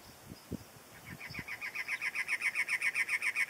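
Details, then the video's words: Cactus wren song, with unseen wrens singing back to a pair: harsh, grating chugging notes repeated nearly four times a second, steady and growing louder over two and a half seconds, after a few low thumps. "The Sounds of Cactus Wrens"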